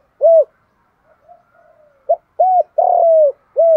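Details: Spotted dove in the đồng thổ voice, calling to lure wild doves and spur fighting. An arched coo, quiet soft murmurs, then a clipped note, a rounded coo, a long buzzy held coo and another arched coo.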